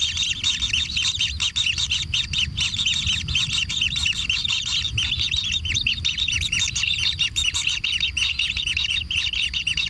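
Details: At a natural kingfisher nest, chicks beg for food with a busy chorus of shrill, rasping chirps, repeated rapidly and continuously with hardly a gap.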